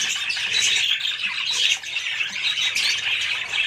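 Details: Budgerigars giving a bright, loud stream of chirps and warbled squawks, with a brief dip in the noise just before the halfway point.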